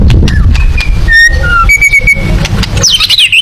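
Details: White-rumped shama in the tembakan song style, described as suited to competition birds: clear, separate whistled notes at varying pitches, some level and some sliding, ending in a buzzy, rising twittering flourish, over low background rumble.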